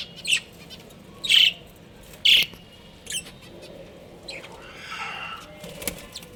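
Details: Breeding pair of budgerigars giving three loud, clipped chirps about a second apart, then softer scratchy warbling fading out against low background hum.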